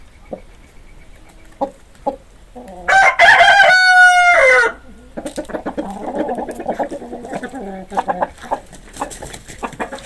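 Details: Chicken sounds: scattered soft clucks, then a loud, drawn-out rooster crow lasting about two seconds with a sustained harmonic tone, followed by a busy run of rapid, chattering clucks.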